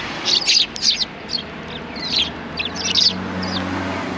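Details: Sparrows calling in greeting outside a cultural hall, 7 February 2020; short clusters of squeaky chirps in separate bursts, backed by a faint low mechanical hum.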